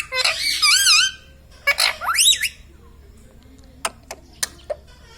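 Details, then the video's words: Indian ringneck parakeet kept as a talking pet, producing several loud, wobbling, speech-like syllables that swoop up and down, then a few scattered sharp clicks in a quiet room. "Hasne Wala Tota || laughing mitthu || Talking Parrot"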